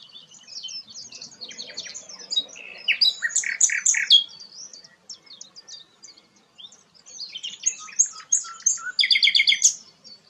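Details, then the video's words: A sikatan londo flycatcher sings a lively, melodious song, recorded as a tutor song for White-rumped Shamas. Thin high twitters build into loud clusters of sweet notes, pause near mid-way, then return with a rapid bright rattle. "burung sikatan londo gacor"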